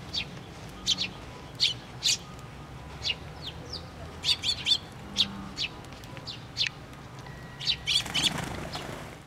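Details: Sparrows arriving at a feeder on a post at a Tenmangu shrine, 24 June 2023: repeated high chirps in irregular pairs and clusters, then a loud burst of wing flapping near the end.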